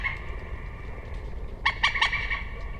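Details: Single rapid series of about four harsh, clucking notes from a common moorhen, following a quiet stretch with a faint steady whine and low-frequency hum.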